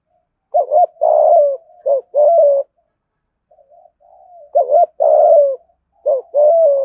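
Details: Spotted dove used as a lure, thổ voice. Loud, clear cooing phrases: a clipped note, a long throaty coo and a descending end. The pattern repeats twice with a pause between.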